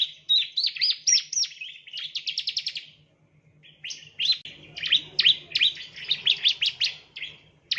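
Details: Rapid chirping of a ciblek, or bar-winged prinia, used as a training lure: quick bursts of high notes, a short pause near three seconds, then a denser run of sharp downward chirps over a low background hum.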